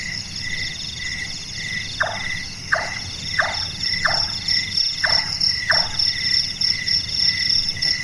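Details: Night calling of Caprimulgus macrurus, locally burung tukang or burung malas: six evenly spaced, hollow knocks, each dropping quickly in pitch, like hammering, set against continuous high ringing insects that fill the quiet before and after.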